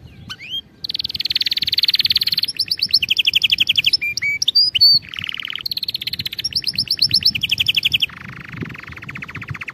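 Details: Canary song used for training canaries to sing correctly: varied fast trills and rolling tours, some high and buzzy, others lower and rattling, switching every second or two, with brief whistled upslurs between phrases.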